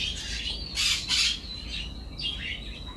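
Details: Canary song from a training recording for domestic canaries: scratchy, buzzy high notes with two loud broadband bursts and thin whistled phrases, busy and uneven.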